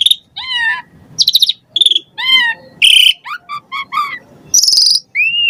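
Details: Asian pied starling song rich in variations, meant to stir captive starlings into song: drawn-out falling whistles, buzzy harmonic notes, a quick series of rhythmic pips and a final rising whistle, each phrase separated by short gaps.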